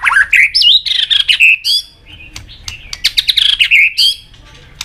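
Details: Competitive song of a white-rumped shama, with tạch calls and tail flicking, meant to stimulate rivals: rich, fast, high whistled phrases with sharp clicks, a brief pause, then another dense burst of varied notes.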